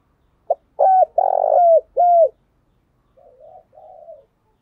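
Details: Spotted dove decoy call used to lure wild doves: a short clipped note, then three loud, mid-pitched coos, the last bending downward, followed by two softer, muffled coos in otherwise quiet surroundings.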